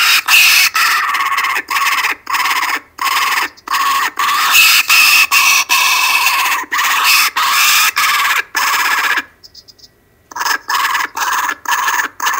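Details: Kookaburras on an Australian webcam, early evening, Monday 12/10/12 around 5:55 pm, raucous and loud: choppy chorus of rasping cackles in rapid bursts, roughly two a second, with one brief lull near the end.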